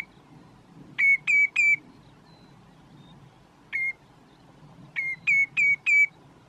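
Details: Common redshank perched on a post in Groninger Landschap, Netherlands, calling its own name with ringing, downslurred whistles: a quick burst of three, a lone note, then four more, over a soft low background hum.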